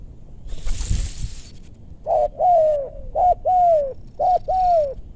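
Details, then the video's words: Spotted dove lured while trapping in a meranti forest in West Bogor, the target a bird with a big voice. A rustling burst comes first, then paired low coos, a short note followed by a longer falling one, repeated three times. "Pikat tekukur ajaran si bucil paksa turun bl suara besar"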